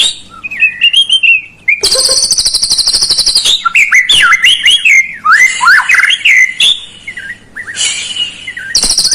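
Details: Lure recording of white-rumped shama song meant to stir a reluctant bird to sing: a varied run of loud whistled, swooping notes, broken by rapid buzzy, rattling bursts and high chattering phrases, with quick changes throughout.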